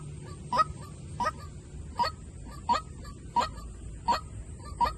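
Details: Decoy call of a white-breasted waterhen, seven clipped, nasal-sounding notes spaced evenly about 0.7 seconds apart, each a brief bright accent, with faint low background noise beneath.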